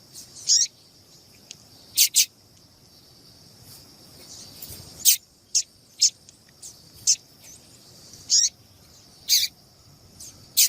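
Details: Female double-collared seedeater calling to excite the male: sharp, high, very short chip notes given singly or in close pairs at irregular intervals of about half a second to two seconds, over a faint steady high hiss.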